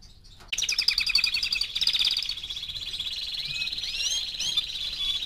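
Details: Four-month-old canary song bursting in after a short pause, fast rattling trills giving way to sustained high warbles and rising whistled slurs, faint hum underneath.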